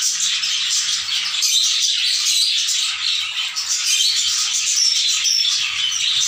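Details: A new colony of sun conures at a pet park keeps up a dense, harsh chorus of shrill screeches and chattering squawks.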